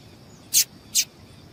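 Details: Female yellow-bellied seedeater calling to excite males, a captive-bird call used by keepers preparing males for singing contests; two short, sharp high chips about half a second apart over quiet background.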